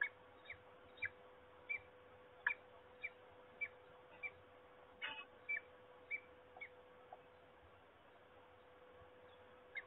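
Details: Peregrine falcon at Trzebież, Poland, 26 March 2021, giving fainter, clipped repeated call notes at a fairly even pace, with a constant background hum and light noise.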